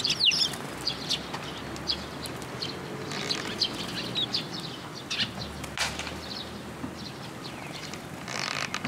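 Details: At a Tenmangu shrine on 1 June 2022, young Eurasian tree sparrows arrive at a post for food. High chirps open the recording, followed by whirring wingbeats and intermittent chirping.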